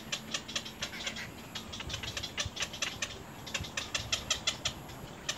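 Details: Nestling little egrets lunge and bite at the parent bird, producing a fast run of sharp ticking clicks, uneven in spacing and fairly soft, over a steady low background hum.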